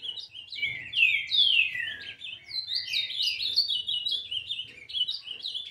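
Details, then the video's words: An 11-month-old ultramarine grosbeak, still in brown plumage, sings a rich, fast warble of sweet, sliding whistled notes, tumbling up and down in a continuous phrase. "Azulão Pardo Com 11 Meses de idade Dando Um Show de Canto"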